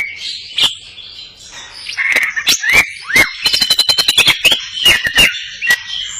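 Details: Greater green leafbird in energetic 'cililinan' filling song, crest up: short rising and falling whistles, slurred notes, then a quick run of sharp clicking bursts mixed with high, wavering whistled tones.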